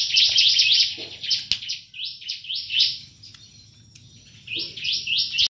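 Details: A kept Brown-throated Sunbird gives a fast, high chattering song of sharp twittering notes in quick bursts, broken by brief pauses, with a faint low hum behind.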